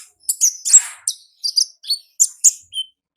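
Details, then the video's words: Wild olive-backed sunbird, locally konin ninja, giving ngalas-style song: high, thin chirped notes in short pairs and trills, spaced by tiny gaps, with one slightly buzzy rasp near the start. "Suara Asli Ngalas Konin Ninja di Alam Liar"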